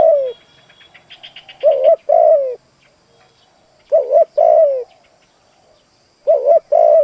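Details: Decoy spotted dove cooing to lure wild doves, a driving coo phrase: short notes then a long falling coo, the phrase repeated about every two seconds; faint chirps from other birds early on.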